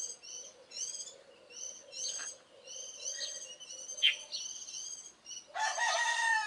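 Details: Birds at early morning in mid-April 2012 (Taiwan source): bright, high chirps and thin twitters tumble over one another at a quick, uneven pace over a steady low hum, closed by a harsh rushing burst.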